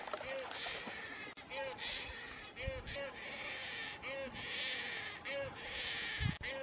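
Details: A juvenile painted stork begs food from its mother with harsh, nasal, bleating squeals about once a second, each with a short, lower, arched note, in a steady, insistent rhythm.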